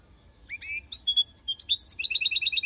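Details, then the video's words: Goldfinch singing a quick, tinkling medley of high chirps and short buzzy notes, ending in a fast repeated twitter, with no other clear sounds. "Goldfinch song"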